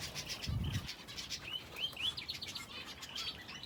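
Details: A finch aviary that also holds a canary: a dull thump of wings early on, then a few clear upward-sweeping chirps and scattered twitters.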